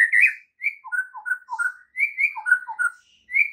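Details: White-rumped shama morning training song meant to stir silent shamas into singing: clear whistled phrases jumping between low and high notes, short varied bursts separated by brief pauses, no other sounds.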